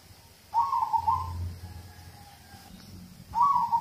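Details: A local zebra dove's song meant to spur other birds to sing: a rippling trilled coo trailing into a long, soft, steady tone, then a fresh trilled phrase begins.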